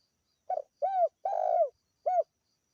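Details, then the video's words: Spotted dove, local strain, with a clear call meant to lure birds: low soft coos in one phrase, a broken short note, a bowed coo, a long trembling coo and a clipped last coo, no other sounds. "SUARA PANCINGAN TEKUKUR GACOR LOKAL JERNIH UNTUK MEMIKAT BURUNG"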